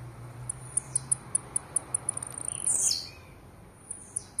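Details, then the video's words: A Blue-black Grassquit singing aggressively gives very high, thin ticking notes several times a second, broken by one louder, buzzy, falling note, over a low steady hum. "TIZIU CANTANDO AGRESSIVO"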